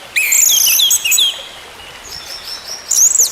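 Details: Orange-headed thrush giving a fast tumbling phrase of high whistles and slurred chirps. After a quieter stretch comes a looping whistle, played so a silent bird will sing again.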